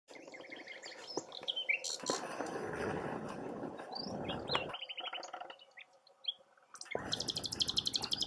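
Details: Nightingale singing from its perch in a tamarisk: varied whistled and chirping phrases with a fast, buzzy high trill near the end, partly masked by loud low rumbling noise in the middle.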